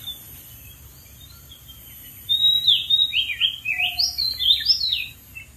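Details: Oriental magpie-robin in the wild, perched on a dead tree, delivers a burst of varied whistled notes after a quiet start, each phrase slurring and jumping in pitch, about two per second, over soft background hiss.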